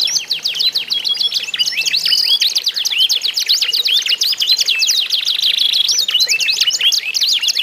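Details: Competing canaries (kenari isian) in a song duel meant to coax other canaries into singing: dense, unbroken high warbling of rapid chirps and rolling trills, several voices overlapping.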